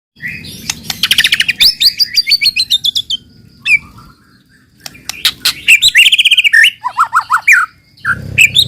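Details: White-rumped shama song used as a lure to prompt other shamas to sing: loud, varied phrases of rapid clicking notes, a long sweeping whistle, a pause, then a burst of rich warbles and descending whistled notes.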